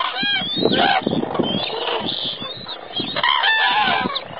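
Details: A flock of common cranes in Spain gives loud, rolling trumpeting calls that overlap continuously, several birds at once with no pause between calls.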